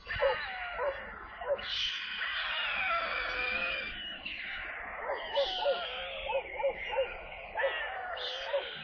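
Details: Stork chicks at a nest in Kaluga Oblast, Russia, on 28 July, as water is delivered to them: short mewing calls, each arching up and down, come in quick runs over a steady hissing noise band.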